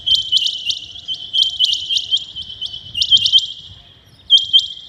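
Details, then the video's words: Rain quail calling at dawn: bursts of crisp high paired notes, a short lull near the end, then the notes resume, over quiet low background noise. "Rain quail calling 2021 | common quail calling early in the morning | چنگھا بٹیر کی زبردست آواز"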